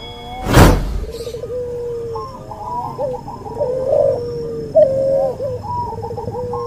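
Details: Cuhu dove, a cross of white albino puter and puter pelung, cooing in a masteran tutor recording; a loud thump opens, then rolling, slightly falling coos with short wavering notes repeat through the rest.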